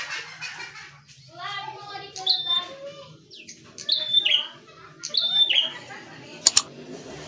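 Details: An ashy tailorbird gives repeated high whistled phrases with falling slurs, roughly every one and a half seconds, over a murmur of people talking and a couple of sharp clicks.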